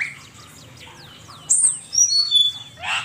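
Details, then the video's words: Asian pied starling song from a master recording used to train songbirds: a series of thin, descending whistled slurs, then louder high clear whistles and a brief burst of harsher, buzzy notes at the end. "Suara burung cucak keling masteran jitu 100%"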